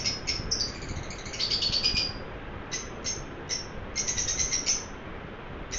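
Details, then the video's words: Pet lovebird chirping happily: short, sharp, high chirps come singly and in quick bursts, with a denser run of overlapping chirps near the middle and a low steady room hum beneath. "My cute Romeo is chirping happily."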